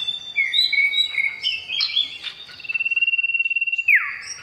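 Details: Male oriental magpie-robin calling a female with clear, loud whistled phrases, a long level note, a fast rattling trill and a final steep downward slur.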